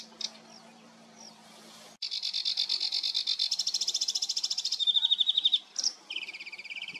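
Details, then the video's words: Sedge warbler in song on 28 June 2022: a few thin calls, then a loud, accelerating buzzy trill that switches to sweet whistled notes and ends in lower chattering phrases. "Камышовка барсучок"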